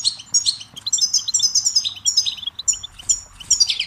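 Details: Lively goldfinch song from a tutor tape for chicks and songbirds: dense, high-pitched twitters and liquid chirps tumbling in quick clusters with brief gaps, over faint low background rumble.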